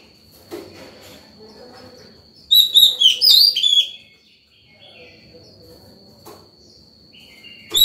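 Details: Morning song of a White-rumped shama, sung to call other birds and train young birds: one loud, rich phrase of quick warbled whistles and trills, then quieter scratchy notes and a faint steady high tone.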